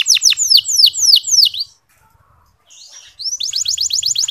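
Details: Local canary singing a training song meant to spur other males into song: bursts of steep descending whistled sweeps repeated about three per second, a short pause, then a fast rising trill of rapid notes.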